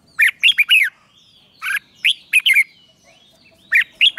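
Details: Red-whiskered bulbul morning song for training, in the 'ché' style. Short clusters of loud, liquid whistled notes come in groups of two to four, with a second-long silence in the middle.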